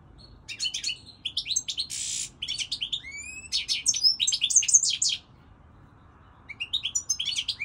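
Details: European goldfinch, Moroccan, pouring out song: scattered high chirps, a harsh buzzing note, rising whistled slurs and dense trills for about five seconds, silence, then a further tinkling phrase.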